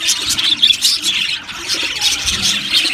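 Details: Budgerigars in an aviary colony chirp constantly, a dense wash of high, scratchy twitters and short tweets overlapping without pause, with a brief dip in the middle.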